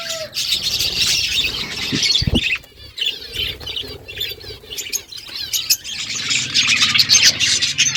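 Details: Morning chorus of budgies: busy high-pitched chirps and warbles run almost without pause, broken by a few sharp clicks and a brief lull near the third second.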